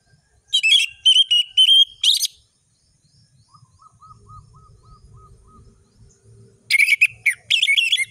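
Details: Orange-headed thrush song phrases with ngeriwik, ngeplong and sharp whistle variations: a cluster of quick whistled notes, a quiet gap with a faint series of soft low notes, then another burst of busy whistling.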